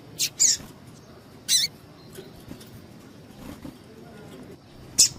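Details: Bursts of high, scratchy chips from a female double-collared seedeater calling to rouse males, a quick double at the start, another after a second, then one after a long gap, over low hum.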